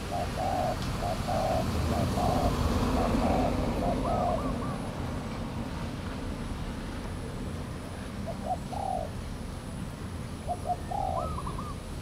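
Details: Wild spotted dove near a trapping decoy at Valdor, Seberang Perai, 17 November 2013; a run of short low coos early, then a quieter gap and scattered coo phrases with higher rising notes, over rumbling background noise.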